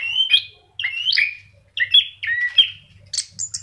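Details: Orange-headed thrush singing in a lively, varied way, used to stimulate caged birds to sing: short whistled and slurred phrases around mid-high pitch, separated by brief pauses, ending with higher thin notes; faint low hum beneath.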